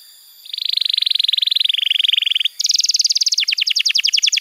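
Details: Canary tutor song played to young and silent canaries to prompt them to sing. A dense buzzy trill of fast repeated notes holds steady for two seconds, then switches to a higher rapid trill and a slower series of chopped notes.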